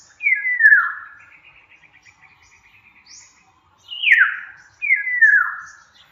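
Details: Black-naped oriole singing clear descending whistled notes, one phrase followed by a soft rapid chattering series, then two more falling whistles.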